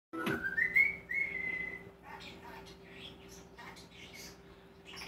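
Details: Pet common starling with a wide vocabulary imitating kisses, laughing, clicking, whistling and human phrases; a bright whistle glides upward and holds, then gives way to scattered soft clicks and chatter over a steady low hum.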